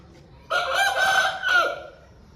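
An Aseel rooster gives a single harsh, sustained crow lasting about a second and a half, with a slight break near the end before it trails off.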